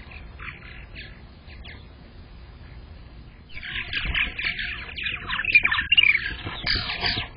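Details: Purple martins at a nest box camera in spring, May 15, 2022, the day the season's first egg was laid; quiet scattered chirps at first, then a burst of dense gurgling chatter in the second half.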